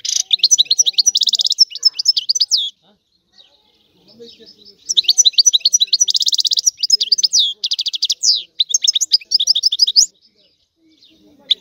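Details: Sicilian European goldfinch singing in two fast, tinkling bursts of high twittering and buzzy trills, with a brief quiet pause between them.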